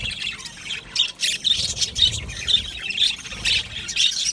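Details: Aviary budgies calling together, with squawky high chirps repeated about twice a second over a constant chattering background.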